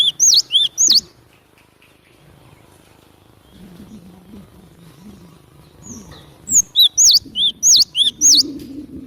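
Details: Cinereous tit singing loudly as a trapping lure: a short run of sharp high-low whistled pairs, a long quiet gap with faint low rumble, then a longer series of the same paired notes.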